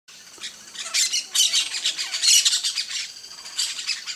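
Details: Campo flicker (pica-pau-do-campo), a large South American ground-dwelling woodpecker; loud, harsh, high squawking notes in rapid clusters, rising to several bursts through the middle and repeated near the end.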